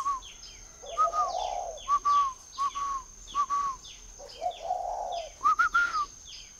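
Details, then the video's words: In a northern Vietnamese dove farm near Hanoi, a spotted dove gives several short whistled notes and two long, warm coos, while a busy chorus of small birds chirps constantly behind it. "chim cu gáy hay"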